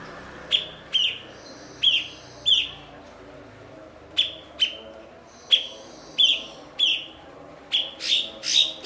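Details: A blue-winged leafbird (cucak cungkok) used as a master for other songbirds delivers a lively run of about fifteen sharp, ringing chips, often paired, with brief pauses between bursts, over a faint hum.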